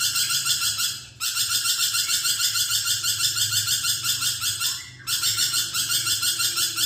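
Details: Lorikeet (nuri perkici) in full lively voice for training songbirds: long, steady, grating screeches pulsed about three times a second, interrupted by two brief gaps.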